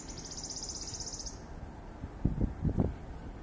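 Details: Wood warbler (Phylloscopus sibilatrix) at Laajalahti on 11 May 2019 gives a high, fast shivering trill lasting just over a second, followed by low thumps and rumbling background noise.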